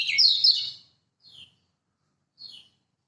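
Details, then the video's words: Master song of a Lombok lemon-bellied white-eye for drawing silent birds to sing: one brief, rich twittering burst, then two soft, thin descending notes about a second apart. "Masteran Kecial Kuning Lombok!!! Buat Pancingan Kecial Macet"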